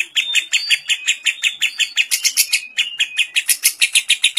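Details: Long ngekek from a lovebird carrying kapas tembak fill, meant as a training recording: irregular bursts of harsh, high chattering pulses, some with brief whistled overtones, growing denser and sharper toward the end.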